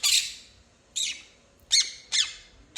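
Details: Pet quaker parrot makes four loud, harsh squawks spaced under a second apart. One is followed by a brief level whistled tone. The owner is urging it to laugh.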